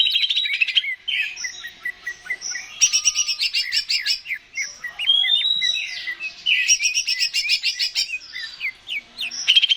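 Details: Lively greater green leafbird gacor song, played to encourage a bird to sing: alternating fast chattering bursts and swooping whistled phrases, continuous and varied throughout.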